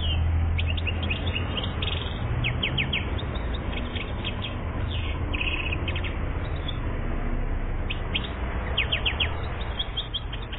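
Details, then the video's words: One-year-old European goldfinch from Algeria, 2014, singing a busy run of sharp high chirps and short twittering trills with brief gaps throughout, over a steady deep hum. "Best chardonneret 1 year Algérie 2014"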